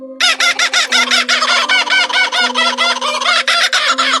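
A kookaburra gives a loud, harsh, rapidly repeated cackling burst, about eight notes a second, over a low steady musical drone.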